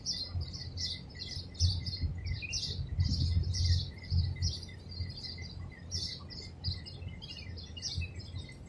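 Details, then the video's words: At a palm tree nest hole in Abu Dhabi, UAE, a Madagascar hoopoe feeds its chicks; a long series of high, clipped chirps repeats about twice a second, with a constant thin whine and low rumble underneath. "Madagascar hoopoe feeding chicks"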